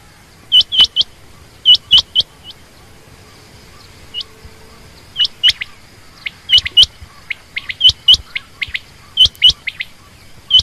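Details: Female quail giving high, clipped chirps in pairs and small clusters, spaced irregularly about every second, with a faint steady hiss underneath.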